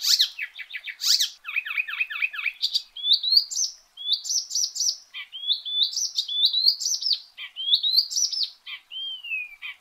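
An Icterine warbler sings a loud, fast, varied song of harsh chattering notes and bright repeated whistled phrases, high-pitched and nearly continuous, with no other sounds.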